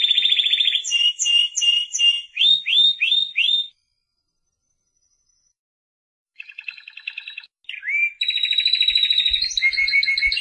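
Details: Singing Spanish Timbrado canary: fast rattling rolls and a run of quick downward-sliding notes, a pause of silence, then a soft roll, a rising slurred note and another sustained ringing trill.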